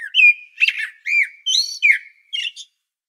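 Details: Singing common blackbird at Sljeme on Medvednica Mountain, Zagreb, Croatia: a rich run of varied mellow whistles, looping up and down, with scratchy twittered notes between them and a final high chirped pair.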